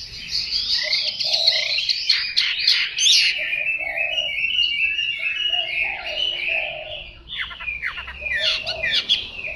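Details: A young fighting-type Chinese hwamei practising its song rambles through a dense, unbroken stream of bright chirps, trills and whistles, with a few lower mellow notes mixed in.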